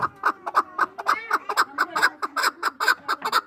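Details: Hunting chukar partridge from Norak, two years old, giving a rapid run of harsh clucking 'chuk' notes, about four per second, around fifteen in all, steady and unbroken, with a faint gliding whistle behind them.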